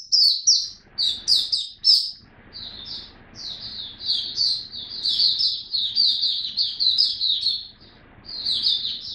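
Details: Caged white-eye kept as a hobby songbird, recorded 3 November 2022 on its fifteenth day of a song-boosting supplement, singing in a long run of high, rapid, twittering warbled phrases with brief pauses between bursts.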